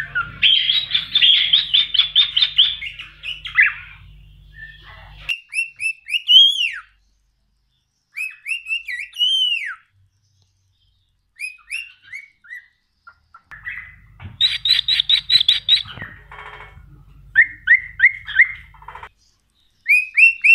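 A cockatiel whistles clear rising-and-falling notes between bursts of fast, scratchy chatter.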